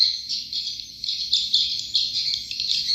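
Many swiftlets chatter at once in a dense, high, twittering wash of chirps that keeps going without a break, rising and falling slightly in loudness.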